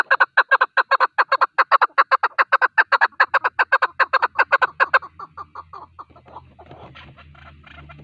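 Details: Male partridge call used for hunting: a fast, steady run of clucking chuck notes, about two and a half per second for five seconds, then fading into softer, looser notes.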